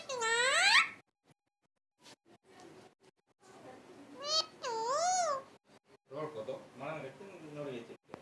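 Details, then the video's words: Parrot speaking the words "mithu maa" in a small room: a loud rising tonal cry opens, then clicks and soft syllables, two wavy up-and-down phrases, and a closing stretch of hoarse, voice-like chatter. "Parrot is speaking " mithu maa""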